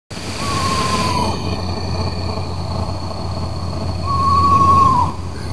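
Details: At night during moonrise in August 2016, in the New Jersey Pinelands National Preserve, an Eastern Screech-Owl gives two steady, mid-pitched trilled notes, each about a second long and dipping at the end, over a low rumble and a thin high hum.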